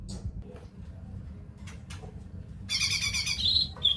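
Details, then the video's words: Cucak ijo mini (leafbird) singing a short, bright burst of fast buzzy trilled notes that ends in a high whistle. Quiet scattered ticks and a low background rumble come before it. "suara cucak ijo mini"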